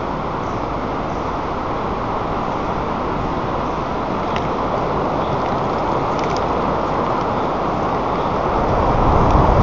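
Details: Steady low engine and road rumble fills the whole recording, with no animal voice standing out.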